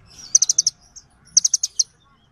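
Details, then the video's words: Two brisk runs of five bright, high chirps from little birds calling each other, separated by a short pause, with a faint softer note between them. "សំឡេងសត្វចាបកន្លង់ | The sound of birds | Little birds call each other"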